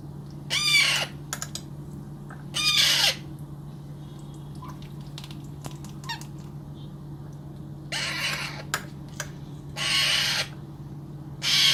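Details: Baby Alexandrine parakeet being hand fed indoors: harsh, wheezy begging calls in bursts of about half a second, repeated every two seconds or so, with a steady low hum behind.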